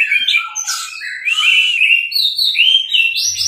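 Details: Orange-headed thrush in teler song, kept as a tutor recording: a nonstop flow of rich slurred whistles and chattering notes that climb toward the end.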